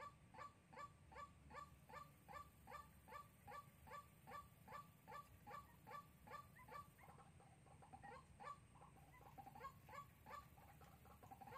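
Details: White-breasted waterhen calling persistently, recorded in Sóc Trăng on 2 February 2021 for trapping: a long, regular series of hoarse two-part notes, roughly two and a half per second, with a brief uneven stretch midway and steady background hum.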